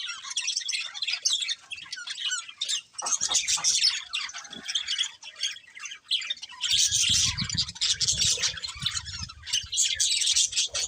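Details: Budgerigars, a colourful breeding pair, chirping in continuous harsh warbling chatter with squawk-like bursts, joined by a low rumbling noise in the second half.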